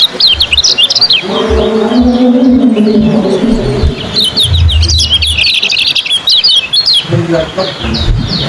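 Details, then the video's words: Yellow kecial competition songbird in fast 'ciak' speed style: quick high chirps tumbling in rapid runs, broken by a lull, with low cooing and thumping sounds behind. "suara KECIAL ciak joss"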